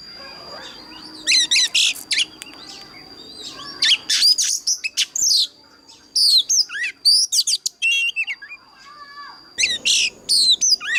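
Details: An old, wild-caught Oriental magpie-robin sings an extremely loud, varied song of clear whistles, sweeping notes and rapid chattery trills in bursts with short pauses, over a faint high hum. The song is used as a lure to train other birds and stir them to sing.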